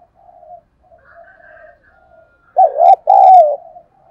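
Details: Caged spotted dove kept as a lure for wild doves delivers one loud, mellow two-note coo near the end after several quieter, distant coos.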